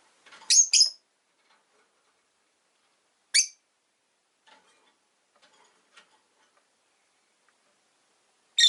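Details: Caged rosy-faced lovebirds in a household flock of five near a window: a rasping double chirp, then single shrill chirps about three and five seconds apart, with faint ticks and quiet between calls.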